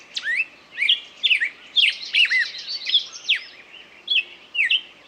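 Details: Bird song of repeated bright chirps and swooping whistles, around two notes a second in loose rhythm, with a brief busier chattering passage midway.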